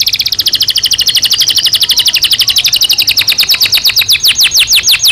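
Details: Canary kept in a cage during breeding season sings a rapid, even rolling trill of high whistled notes, the pulses slowing and becoming more distinct and downward-sweeping toward the end, loud and clear.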